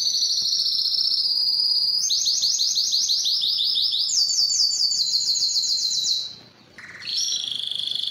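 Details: Canary song, Belgian or Spanish timbrado type, used for song training: successive high rolling trills changing pitch in steps, with fast downward-sweeping note series, a short pause, then resumed trilling.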